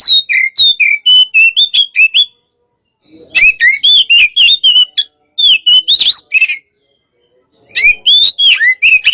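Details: Hot-type white-rumped shama singing loud, clear, high whistled phrases mixed with sharp chips and swooping notes. The song comes in bursts of about two seconds separated by short silences, with brisk, varied delivery.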